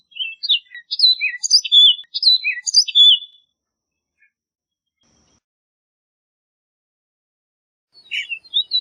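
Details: Orchard oriole sings a crisp phrase of short, high, clipped whistles grouped in quick clusters for about three seconds. After a long silence, the next phrase starts.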